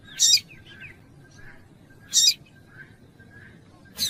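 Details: Female double-collared seedeater calling to excite the male; short, sharp, high chips repeated roughly every two seconds, with fainter soft chirps in between over a low steady background hum.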